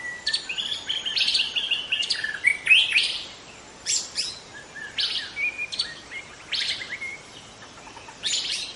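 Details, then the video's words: Wild white-rumped shama in forest singing a lively, varied song: rapid clusters of sharp chattery notes and short whistles, repeated in bursts separated by brief pauses. "suara asli murai batu hutan cocok untuk Memancing murai batu lain"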